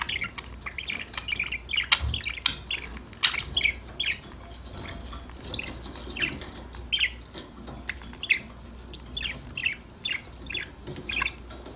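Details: Happy budgies chatter to each other at play, a steady run of short high chirps and brief warbles scattered every fraction of a second, sometimes bunching into quick rattly clusters.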